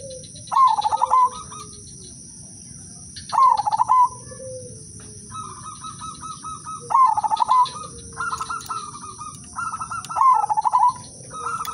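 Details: Udan Mas Silver Zebra Dove with a melodious rhythm, sung to lure other doves into singing. Repeated trilling, staccato coo phrases about every three seconds, with some softer coos in between, over a persistent high-pitched hum.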